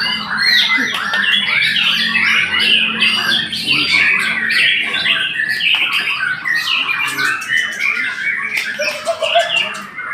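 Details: White-rumped shama in vigorous song, alternating rich warbled whistles with rattling trills and sharp ticks; a lower whistled phrase appears near the end.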